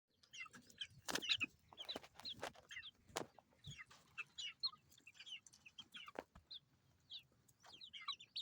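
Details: Baby chickens chirping: many short high peeping notes scattered through the clip, with a few louder clicks or knocks and a faint low rumble underneath.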